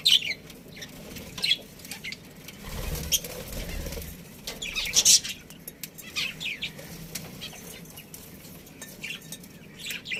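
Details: Budgerigars from a breeding colony chirping in sparse scratchy bursts, mixed with soft fluttering and rustling movement, one louder cluster midway.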